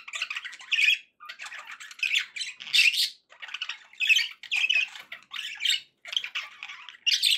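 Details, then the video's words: Happy budgies in a steady run of harsh, scratchy chirps and squawks, short bursts spaced about every half second to second, no other sounds. "happy budgie sounds"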